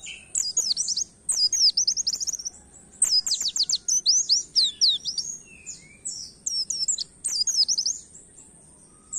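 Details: Oriental white-eye singing canary-like: bursts of very high, rapid twittering, each phrase a second or so long, repeated with brief pauses in quiet surroundings; recording used to stimulate songbirds to sing.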